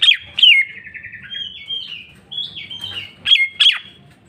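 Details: Cucak ijo, greater green leafbird, singing varied whistled slurs, a descending trill and level notes, ending with two sharp, loud chirps.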